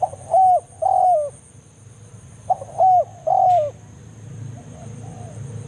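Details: Spotted dove 'banggo' lure call from the forest, calling a rival closer for trapping. Two phrases of a brief lead note followed by two mellow, ringing coos that sag at the end, then quiet; soft faint coos and a thin electronic hum behind.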